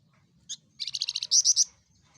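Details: Small insect-eating Javan fulvetta, loud-voiced: one short high note, then a quick trill of about eight notes, ending in three strong, higher, whistled notes.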